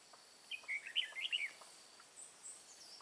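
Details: Red-whiskered bulbul used as a decoy during trapping in mountain forest, Hòa Bình, 5 February 2017: one quick warbled phrase of bright, slurred, up-and-down notes, with faint insect hiss high above.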